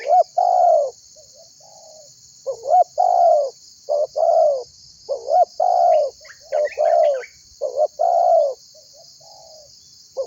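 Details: Spotted dove, an active calling bird used as a lure to draw other birds into calling. Loud, low cooing phrases, each a short rising note followed by a longer falling coo, repeated in quick series, with faint higher chirps of other small birds and a steady high insect hiss.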